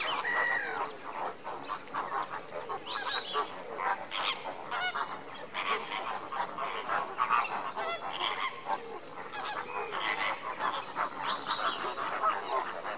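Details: Captive lesser flamingo flock foraging during enrichment, giving a dense, continuous chorus of overlapping goose-like honks and gabbling notes, with occasional louder rising calls standing out from the din.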